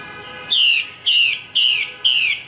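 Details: Female Chinese hwamei from northwestern Vietnam giving loud, bright notes that slide downward, repeated four times about every half second.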